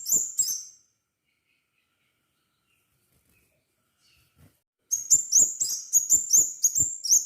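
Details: Actively singing crimson sunbird, used to draw other sunbirds into song: two shrill chirps, a pause of about four seconds, then a fast, uneven string of roughly nine bright, high, rising notes.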